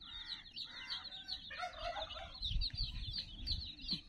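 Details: Some 60 playful chicks around a teddy keep up high, rapid peeping, with lower harmonic calls early on, and low rumbling, thumping noises grow beneath after the halfway point.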